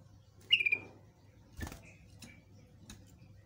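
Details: Yellow-vented bulbul (Pycnonotus goiavier) song used to lure other birds to answer: one quick, bubbly phrase of four or five clipped mid-high notes, then a faint trailing note, with soft taps between.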